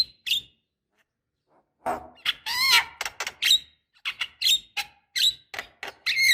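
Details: Javan myna female calling her mate, used to prompt caged birds into song: a short whistle, a pause, then a loud nasal squawk and a lively run of squeaky, whistled and harsh chattering notes.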